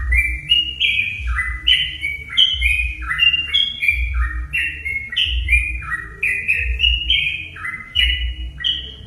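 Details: Sooty-headed bulbul song used as a lure to provoke other bulbuls into singing: a quick string of clear, short whistled notes stepping up and down, overlapping phrases, over a low thumping rumble in the background.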